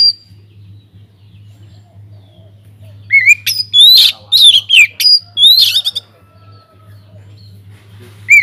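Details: Oriental magpie-robin in an aviary singing vigorously as a lure to get other birds singing. After quiet, a burst of sharp, rising and falling whistles and chips lasts about three seconds, with one more whistle at the end. A low hum continues throughout.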